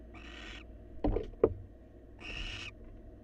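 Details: Wild barn owl pair in a research nest box, the male grooming his mate and bringing food; two drawn-out hissing screeches bracket a couple of sharp thumps or knocks, with low background hum.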